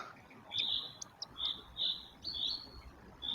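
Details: Northern goshawk nest with five recently hatched chicks, 10 May 2024: after a feeding, the content chicks give thin, high chirps in short bursts about twice a second, some sliding slightly, with faint background hiss.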